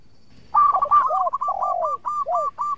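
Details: Song of a local zebra dove, kept as a lure to provoke rivals into replying: rapid rolling coo notes with several drawn-out, downward-curving tones mixed in.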